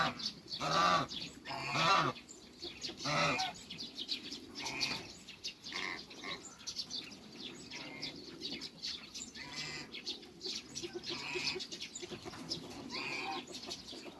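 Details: Two African geese in a backyard with other waterbirds: strident honks open the recording, then quieter, scattered calls and background clatter follow over the remaining seconds.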